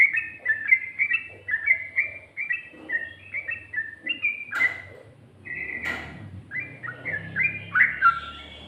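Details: Yellow-vented bulbul singing in ropel, ngikluk and garuda styles, a steady series of short whistled notes bouncing up and down, broken by two sharp clicks before rising, louder phrases, with a low background rumble.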